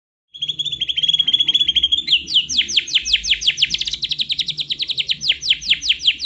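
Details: White-rumped shama (murai batu) singing: a steady high whistled note for about two seconds, then a fast run of sharp downward-sweeping chips repeated about four times a second to the end, over faint low background rumble.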